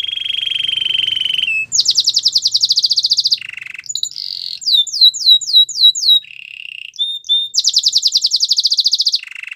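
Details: Canary training song: a steady whistled note held for over a second, then a fast buzzy trill, a lower rolled phrase, a run of down-slurred chirps and another bright trill, all high-pitched and clean.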